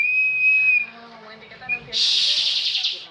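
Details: Contest-winning bar-winged prinia giving a flat thin whistle, a short pause, then a loud rapid buzzing trill typical of its 'ngebren' song.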